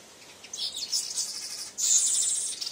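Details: Male weaver confronting his mirror reflection in the morning produces two bursts of high, hissing, buzzy chatter, the second louder and harsher, with no other sounds.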